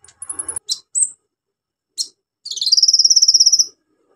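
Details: Orange-headed thrush singing vigorously, a recording meant to stimulate birds that have stopped singing: a few sharp high chips, then a long fast rattling trill of evenly pulsed notes lasting over a second.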